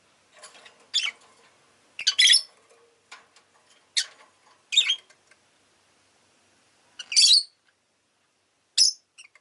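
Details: Lively rosy-faced lovebird chirping: a run of harsh, high calls of varied length, some doubled and scratchy, with soft clicks between and two loud shrieks near the end.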